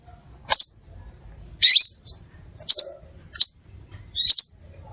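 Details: Crimson sunbird sounds used to lure other sunbirds: five separate high, piercing chirps, some doubled, with a short lower note in the gaps.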